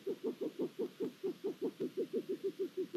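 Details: At a Hungarian Long-eared Owl nest on 23 April 2022, with food deliveries and a new chick, a steady run of soft, low pulsed notes repeats about five times a second over a faint hiss.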